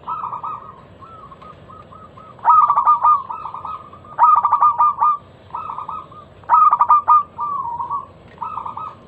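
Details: Local zebra dove singing as a lure to start other doves: a steady series of soft cooing notes broken by three loud, crisp phrases of rapid beaded notes spaced about two seconds apart.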